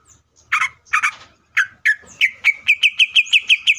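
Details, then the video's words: Greater green leafbird in full, aggressive song used as a lure to provoke other leafbirds into singing: a few harsh, scratchy bursts, then a fast run of sharp, ringing notes repeated about three times per second. "CUCAK IJO GACOR GANAS BUKA MATERI❗PALING AMPUH BUAT PANCINGAN IJO AGAR CEPAT BUNYI AUTO EMOSI!"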